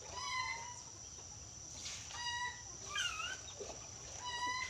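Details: A yellow-crested cockatoo gives several drawn-out, tonal calls that waver in pitch, including one bent, warbling phrase near the middle, heard over a steady high whine and a background murmur.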